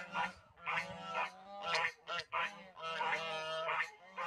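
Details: Farm African geese calling out in the open: a series of harsh, nasal honks in bursts, several overlapping, over a low hum with faint background music.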